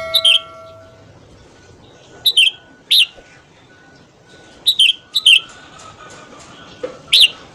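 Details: Red-whiskered bulbul giving its morning song to spur newly caught birds; short bright two- and three-note bursts repeat irregularly, about every one to two seconds, with a faint steady tone behind.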